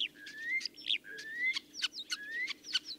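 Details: Common Starling song made of rising drawn-out whistles alternating with sharp clicks and rattling notes, quick and varied, over a faint low hum.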